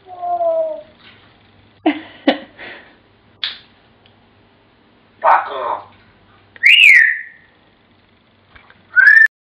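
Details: An African grey parrot imitates Pop Goes the Weasel: a run of varied speech-like squawks, clicks and mutters, then a loud, bright, falling whistle and a final short, level whistle.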